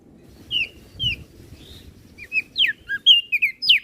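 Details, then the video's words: Flores crested white-eye singing in 'gacor isian' style as a training master: a few spaced, slurred high whistles, a quiet gap, then a faster burst of sharp downward-sweeping notes. "Burung Opior Jambul Flores Gacor Isian - Masteran Burung Kecial Suara Besar"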